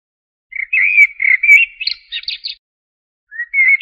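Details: Blackbird (Turdus merula) delivering one long, smooth warbled phrase of slurred whistles that climbs into a brief high twitter, followed after a pause by the start of another low fluted phrase.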